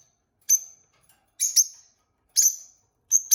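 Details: Newly kept couple of peach-faced lovebirds calling; four bright, shrill chirps spaced roughly a second apart, some doubled, with silence between.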